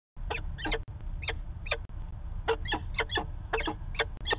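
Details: Peregrine falcon in Manchester, New Hampshire, recorded 19 September 2018 during a long exchange of calls: a rapid series of harsh, clipped notes in quick bursts, some doubled, with steady low background rumble.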